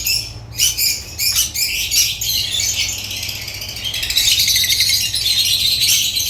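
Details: African lovebirds squabbling and twittering, with harsh broken squeaks early on that merge into a thick, steady stream of high chatter toward the end.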